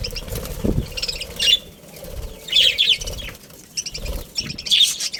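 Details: Budgerigars in a breeding colony: three bursts of shrill, high chirps, one every second or so, mixed with rustling, low thumps and wing flutter.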